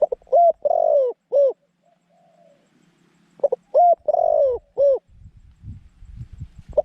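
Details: Decoy zebra dove singing to lure wild doves: two clear cooing phrases of short bouncing notes and one longer slurred coo, separated by a quiet pause, with faint low rustling.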